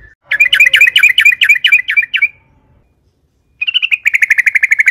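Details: Yellow-vented bulbul singing to draw other bulbuls into song: a rapid run of bubbly, rolling notes for two seconds, a silent gap, then another quick chattering burst.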